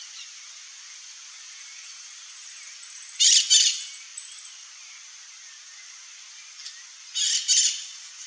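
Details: Singing glittering-bellied emerald (Chlorostilbon lucidus): a rapid train of tiny, high-pitched ticks for about four seconds with harsh buzzy bursts mixed in, then quiet hiss, then another pair of scratchy buzzes.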